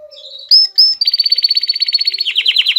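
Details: An excited male canary sings to prepare females for mating. Soft whistled notes lead into a loud clear whistle, then fast, rhythmic, buzzy trills of about ten notes per second.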